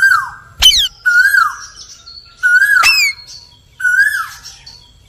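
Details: Indian ringneck parrot mixing loud, wavering whistled chirps that dip and rise with two sharp harsh screeches, in a busy repeated sequence roughly every second, close and clear.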